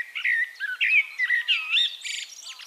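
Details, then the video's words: Eurasian blackbird singing in Castricum, the Netherlands: a rich run of fluted, warbled notes around mid pitch, swooping and slurred, ending in higher scratchy twittering phrases; no other sounds stand out. "One Hour Relaxing Birdsong: Blackbird"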